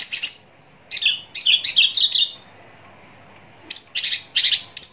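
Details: ['Close-up Javan bush lark song: a quick run of scratchy, buzzy chirps, then a pause of over a second, then a high clear whistle followed by more rasping chattered notes.']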